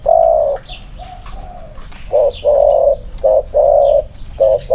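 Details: Spotted dove, one of two caged males compared for their cooing style: a loud opening coo, then a run of short and longer hollow coos in quick succession, with distant thin chirps of other birds.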